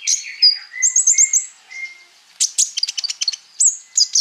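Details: Sunbird known locally as Konin sings varied, lively phrases: high trilled runs, lower drawn-out whistles, then a flurry of sharp clicking chirps ending in thin rising notes.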